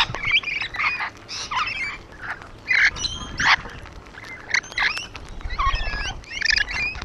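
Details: Rainbow lorikeets on a wall utter rasping screeches and squeaky chatter in irregular bursts, with some low thumps underneath.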